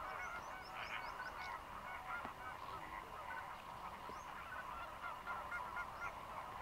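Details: Dense, steady chatter of many Greater flamingos feeding in a Mannar Island lagoon in Sri Lanka during the December–March dry-season migration: layered goose-like honks and short nasal notes running without pause.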